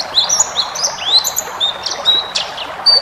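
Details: Short run of pleci ngalas white-eye song meant for training caged birds: a rising whistle, several flat thin notes and a quick high burst, set against steady background noise.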